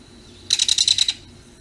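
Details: Belted kingfisher (Megaceryle alcyon) in a yard gives a short, dry, mechanical rattle of about seven rapid clicks over half a second, with faint low background noise.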